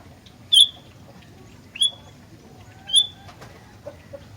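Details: Sooty-headed bulbul (gentilang) giving three clear whistled notes about a second apart, each a sharp upward flick into a short tone, with faint rustling and soft clicks between them.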